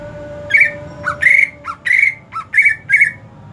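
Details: Greater green leafbird in the hot season alternating loud buzzy squawks with short lower chips, about seven notes in under four seconds, harsh and rich in overtones, over a faint steady hum.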